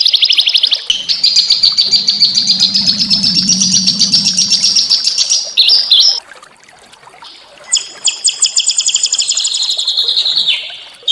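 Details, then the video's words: Small songbirds deliver a rapid trill, then a long buzzy trill over a low hum. After a brief gap come high, layered rattling trills. The training recording is meant to stimulate white-rumped shama to sing. "masteran burung kecil agar murai batu gacor AMPUH buat PANCINGAN murai batu agar bunyi EMOSI"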